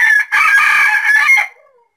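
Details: A caged bantam (kate) rooster gives a loud, brassy crow, a short note then a long strained call that tails off.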